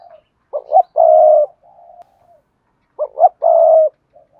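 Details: Spotted dove (cu gáy) in 'bài bản' song, called 'Cườm Sa' with a 'hạp bổi' voice. Two low, soft cooing phrases: a pair of short rising notes, a long sustained coo, then faint quieter coos. No other sounds.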